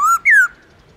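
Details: Two clear whistled notes from a black-throated laughingthrush (Garrulax chinensis) singing in the forest-voice long slurred style. The first is level, and the second starts higher and glides down before fading.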